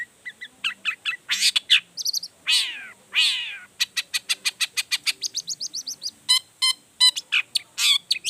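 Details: Long-tailed shrike singing hard to make other shrikes join in: a fast jumble of chirps, harsh raspy bursts and a long run of evenly repeated high ticking notes.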